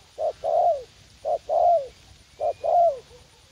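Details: In a garden at U Minh, a young, combative decoy spotted dove coos three times, each a clipped note followed by a fuller coo that slides downward at its end, evenly spaced about a second apart.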